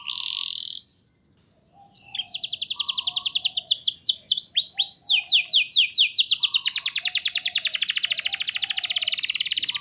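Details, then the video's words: Canary song used as a master recording to prompt young canaries to sing: after a short opening burst and a pause, fast high trills and repeated downswept whistles run continuously, a faint low tone recurring beneath. "Pancingan dan Masteran Kenari Gacor Ngotot! Ahlinya Memancing Kenari PAUD Pasti NYAUT"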